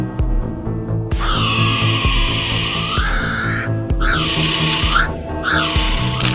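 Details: A Weka (Gallirallus australis) gives a long, harsh, drawn-out scream-like cry, then two shrill rising-and-falling whoops, with a thumping music beat underneath throughout.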